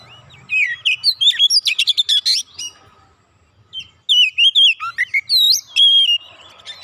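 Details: Provoked, agitated Oriental magpie-robin bursting into full varied song: rapid high chattering and trilled notes, a pause, then looping whistled phrases that rise and fall, mixed with sharp squeaky notes.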